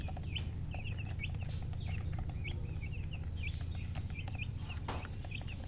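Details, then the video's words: Chicken chicks giving bright, high peeps in little clusters, roughly two or three a second, each note sliding downward, set against a continuous low humming background. "Witty MURGI Baby "Chicks Chirping" Sound"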